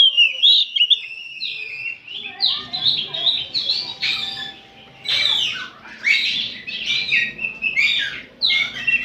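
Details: Many oriental magpie-robins in an afternoon chorus, pouring out loud, varied whistles and scratchy chatter in bursts separated by short pauses.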